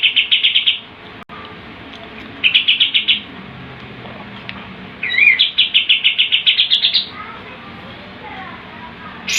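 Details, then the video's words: Kapas tembak, the sooty-headed bulbul, delivering its 'tembakan' song: three separate bursts of rapid, evenly repeated high chattering notes, each lasting about a second or more, with quiet gaps between. "KAPAS TEMBAK GACOR, GURU VOKAL TEMBAKAN JUARA."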